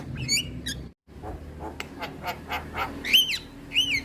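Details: Male Javan myna (jalak kebo) in natural song: harsh broadband clicks and rasps mixed with a few loud slurred whistles that rise then fall, over a low background hum.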